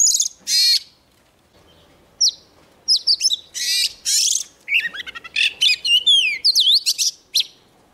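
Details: A young Oriental magpie-robin sings energetically as a wild bird comes near: bright bursts of buzzy, high notes, then a quickening run of clear whistled slides and chirps after a short pause.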